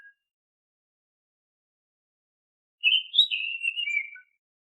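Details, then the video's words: Oriental magpie-robin (kacer) whistled song, used as a lure to get untrained caged birds singing. After near-silence, one rich phrase of clear, slurred whistles wavers high then slides gently downward, lasting about one and a half seconds. Background is quiet. "Suara Siulan KHAS Burung KACER, AMPUH untuk Pancingan kacer BAHAN agar GACOR"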